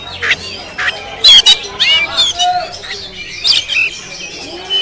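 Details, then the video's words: Kacer moncong, a caged Oriental magpie-robin at a practice song contest in Sambas, recorded with an action camera. Loud, varied bursts: sharp squawky notes, rising and falling whistles and rapid chattering phrases, with faint background voices. "Suara Burung Kacer Moncong"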